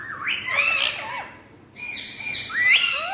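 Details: Talking parrots making two bursts of loud, grating squawks, each with looping whistled slides, separated by a quiet half-second pause.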